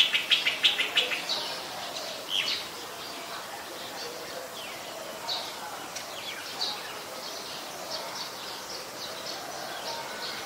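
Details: Olive-backed sunbird, also called Yellow-bellied Sunbird, at a home on 25 March 2021 around 4:45 pm. A quick burst of sharp, high chirps repeats rapidly at first, then thinner scattered tweets and slurred notes follow over soft background hiss.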